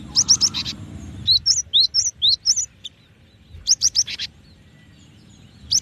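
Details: Cinereous tit (gelatik batu) song: a fast run of bright chips, then clear whistled notes that rise and fall, repeated about four times per second, then another quick burst after a pause; low background hum at the start.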